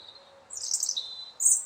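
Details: Robin singing: a short burst of high, thin, squeaky twittering notes, a brief sustained high whistle, then one sharp, very high chirp at the end, over faint steady background hiss.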